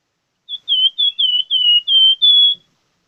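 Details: Plamboyan bird singing vigorously: a clean run of seven sweet whistled notes, high-pitched and nearly level, each slightly falling, delivered quickly in about two seconds against a silent background.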